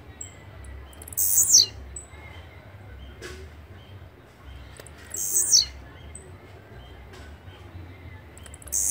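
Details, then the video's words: Repeated song of the blue-black grassquit, a sharp, very high buzzy note that swoops downward, given roughly every four seconds; soft ticks and thin distant whistles fill the pauses. "Canto de Chirrio (Volatinia jacarina)"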